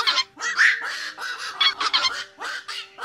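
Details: Short burst of black-crowned night heron flock calling, used to draw birds to night nets: overlapping coarse, nasal croaks pour out almost without pause over a thin steady hum.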